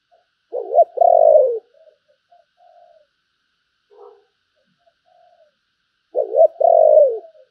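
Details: Spotted dove decoy bird calling with thúc and gáy gọi. Two loud stuttered coo phrases ending in long falling notes, with quiet faint coos and a soft knock between them.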